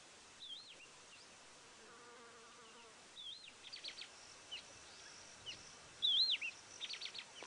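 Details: Two male Yellow-throated Longclaws in a vocal dispute after chasing one another, one perched on a shrub, Sabi Sand near Kruger Park, South Africa, late afternoon in December: loud rising-and-falling whistled notes at intervals, mixed with short chirps from other birds.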